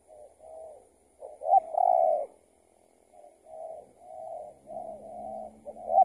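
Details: Spotted dove answering a decoy during trapping, possibly an escaped tethered bird. One loud phrase of short notes and a long coo, with softer overlapping coos around it and a faint low rumble near the end.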